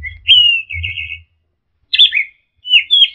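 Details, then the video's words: Orange-headed thrush, rich varied training song: drawn-out warbled whistles, a short pause, then two quick rising and falling whistled phrases, with a soft low hum beneath. "Masteran Punglor Teler Gacor Full Isian Kombinasi Tembakan"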